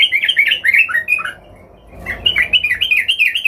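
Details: Excited yellow-vented bulbul seeking a rival sings a lively, bubbling warble of rising and falling slurred notes. The phrase breaks off briefly, then resumes with a similar fluid chatter.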